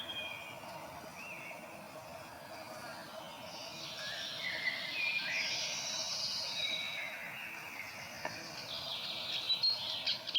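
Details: Grey warbler, or riroriro, a tiny shy bird of dense New Zealand bush, singing thin, high, wavering whistled phrases that rise and fall. The song is fairly faint against a steady background hiss, with louder notes toward the end.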